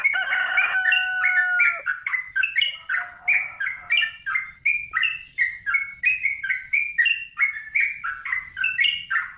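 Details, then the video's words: Yellow-vented bulbul master song recording for training songbirds: a run of bubbly, chattering mid-pitched notes, about three a second, opening over a brief steady tonal hum. "Suara Burung Trucukan"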